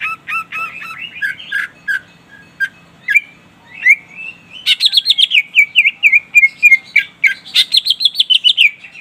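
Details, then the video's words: Greater green leafbird in gacor song calling a rival, used as a lure; scattered sharp chirps and short whistles build into fast continuous whistled warbling, many notes per second, rich and varied, with brief pauses. "Cucak ijo gacor memanggil lawan ampuh buat pancingan"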